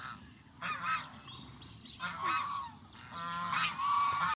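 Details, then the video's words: Canada geese calling when hungry. Bursts of harsh, nasal honks come from more than one bird, growing louder and more continuous toward the end. "Watch what Canadian ducks do when they feel hungry. strange sounds"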